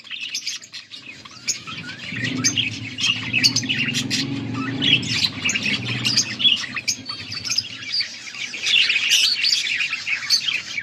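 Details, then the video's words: Several budgerigars chirping together, recorded August 14, 2024: a dense, continuous chatter of short buzzy and squeaky notes, overlapping warbles and clicks, with a low steady hum underneath from about two to six seconds. "Budgies sounds for lonely birds birds chirping sounds"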